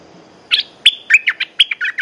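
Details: Red-whiskered bulbul song from a caged bird: a brisk phrase of sharp chirps and short whistled slides, roughly ten notes in under two seconds, clear and close with little background noise.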